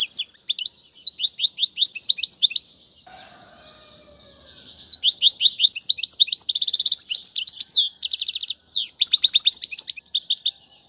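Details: European goldfinch recording for teaching chicks to sing: liquid chirping phrases and dense rattling trills. A quieter stretch in the middle carries a faint low whistle before the bright twittering resumes strongly.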